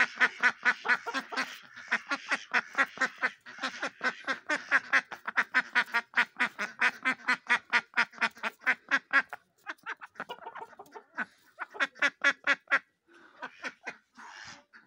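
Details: Ducks having fun in the snow quack in rapid, repeated series for about nine seconds, then fall into scattered, softer quacks with short gaps.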